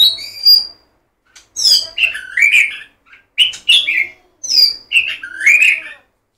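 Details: White-rumped shama, known as murai batu, singing loud varied phrases: rich whistled and slurred notes in short bursts of about half a second, separated by brief silences, with a few sharp high chips.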